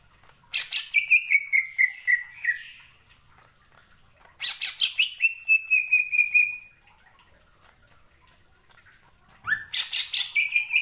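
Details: Greater green leafbird, a mimic of other species, delivers three separate bursts of song, each opening with harsh chirps and trailing into a long falling whistled phrase, separated by quiet gaps, to rouse other leafbirds.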